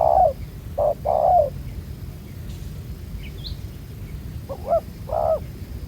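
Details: Wild-caught spotted dove with a dark spotted collar, taken with a ground decoy and noted for good cooing; short soft coos in small clusters with pauses between, over a low rumbling background.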